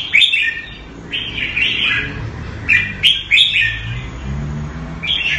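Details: Red-whiskered bulbul in a cage in Singapore, Thai-style keeping, sings short bubbly whistled phrases about once a second over a low rumbling background.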